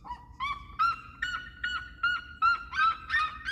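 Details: Seriemas singing: a fast series of loud, nasal, yelping notes, about eight in under four seconds. The notes start lower and rise, then hold a high, strained pitch with rich overtones. Faint low background rumble.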